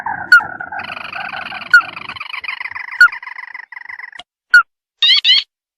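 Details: Sintar mata merah lure sound used to attract birds at night: a sustained buzzy, trilling purr with several layered tones, broken by sharp loud clicks, ending with two brief higher rattling bursts.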